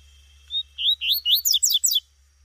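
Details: Female double-collared seedeater of the tuitui type calling out in the bush: about seven loud notes in two seconds. Upward-swept whistles give way to fast, bright descending slurs. A faint low hum sits underneath.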